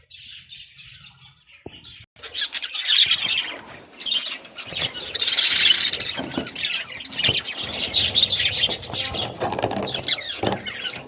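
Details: Budgerigars chatter while eating spinach, a busy stream of scratchy, high chirps and warbles, with some wing flutter.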